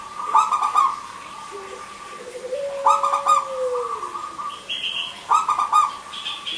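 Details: Local Indonesian zebra dove (perkutut) in full, crystal-voiced song, used as a lure for silent male and female doves. Bursts of rapid staccato cooing notes repeat every two to three seconds, with a long sliding lower whistle and higher chirps between them.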